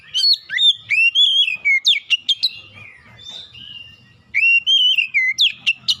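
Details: Oriental magpie-robin singing a lure song for stubborn birds: rich, varied whistles, upslurs and downslurs mixed with quick chips, a long dense phrase, a short pause, then another bright whistled burst.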